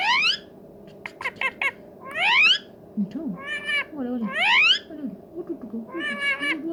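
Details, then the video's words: Talking pet rose-ringed parakeet indoors giving loud meow-like calls: rising, harmonic wails in bursts, with short clicks and low murmurs between, over background music. "parrot talking"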